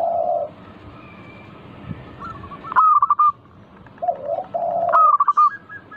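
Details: Local zebra dove song played to draw other doves into singing: low rolling purr-like coos alternate with rapid bright cooing phrases, repeated twice over a quiet background.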